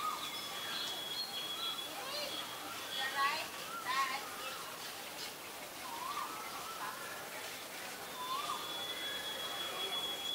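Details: Common myna calling in Ubon Ratchathani, Thailand, on 26 February 2022: a loose series of varied, gurgling, rising and falling notes, irregular and fairly faint, with a steady high thin tone running through the background.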